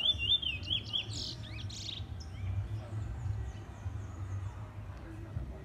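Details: A young Trinidad bullfinch, first-year black male, sings a quick run of bright, upslurred whistles, then buzzy trilled notes, and the song fades after two seconds. A steady low rumble runs underneath.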